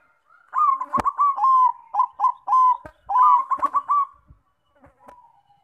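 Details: Zebra dove lure song for other doves: a steady stream of rolling coos and longer slurred notes, with sharp clicks or taps cutting through at several points.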